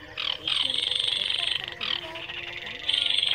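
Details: Baillon's crake gives dry, frog-like rattling trills in high buzzy bursts of about a second, broken by brief pauses.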